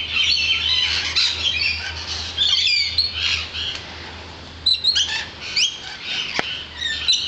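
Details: Many lorikeets gathered off a balcony, a loud mass of harsh, screeching squawks and chatter, steady at first, then broken into sharper separate shrieks toward the end.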